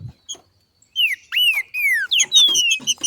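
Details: Female green-winged saltator singing like a male outdoors, a display meant to excite other saltators: a quick series of loud, clear whistles, each arching then sliding down, ending among sharp high ticks.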